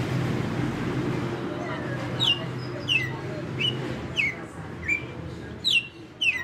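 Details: Red-cowled cardinal, a caged veteran kept five years, delivering açoite song: a rapid series of loud, clear whistled notes, each sharply falling, repeated roughly every half to one second, over low rumbling background noise.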